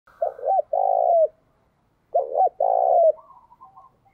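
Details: Decoy spotted dove cooing in the thúc bổi style: two phrases about two seconds apart, each a short hollow note followed by a longer, rolling, vibrating coo that drops at the end, with faint softer notes trailing afterwards.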